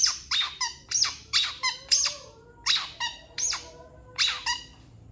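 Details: Long-tailed shrike (cendet) master song for training other birds: loud harsh notes with strong overtones repeated about twice a second, some linked by faint lower whistles, over a low background hum.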